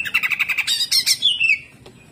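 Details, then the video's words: Greater green leafbird in hyper song: a fast stutter of evenly spaced buzzy notes speeds into a bright trill, then a long descending whistle fades out. "CUCAK IJO GACOR HYPER TEMBAKAN KASAR"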